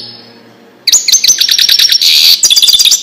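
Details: A European goldfinch sings the Wedani style, played to teach young birds: after a quiet start, an abrupt run of high, rhythmic, tinkling trills, then a denser buzzy twittering phrase.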